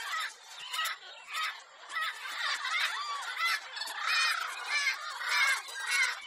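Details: A pet lorikeet, recorded for entertaining parrots, gives harsh, buzzy screeches in rapid overlapping bursts about once a second, forming a continuous grating chatter.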